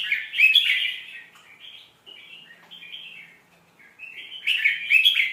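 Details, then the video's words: Red-whiskered bulbul song intended to teach young birds: a loud opening burst of bubbling whistles, a long string of softer wavering notes, then another loud, bright, chattering flourish at the end. "เสียงนกกรงหัวจุก สำนวนเพราะๆ เปิดสอนลูกนก"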